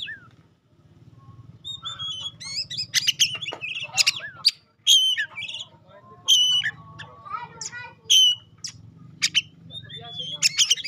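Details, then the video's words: Oriental magpie-robin, pastol type, singing as a lure to challenge other magpie-robins: loud, varied bursts of sharp high notes, whistles and rapid chatter separated by short gaps, over a soft low hum. "Tes Kacer Anda dengan Kacer Pastol Ini. Semakin lama makin Panas"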